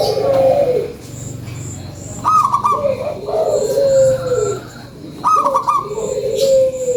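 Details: Lure song from a local zebra dove: three phrases, each a sharp high note followed by a descending, purring coo, spaced roughly three seconds apart, with soft high chirps behind.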